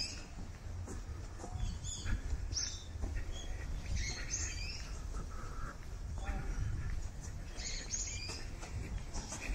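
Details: Brown-eared Bulbuls flying around among cherry blossoms in full bloom give short, sharp high chirps and squeaky notes at irregular intervals over a steady low rumble of wind.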